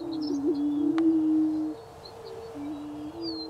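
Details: Greater prairie-chickens booming in spring in Wabaunsee County, Kansas: low, hollow, hooting moans that swell and hold for over a second, overlapping one another, with faint high chirps of other birds above.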